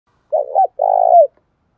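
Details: Spotted dove in the loud 'giọng thổ' voice style: a short throaty double coo, then a longer, rolling, purring coo that dips at the end. The recording is clean with no other sounds.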